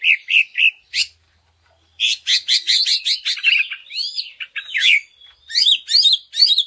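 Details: Greater green leafbird lure song for stimulating other leafbirds: three whistled notes, a short pause, then a busy stream of quick chirps and looping whistles ending in repeated rising sweeps.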